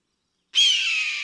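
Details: Eagle calling while hunting and flying in the sky: after a short silence, one sudden high, shrill scream that slides slightly downward and fades over under a second.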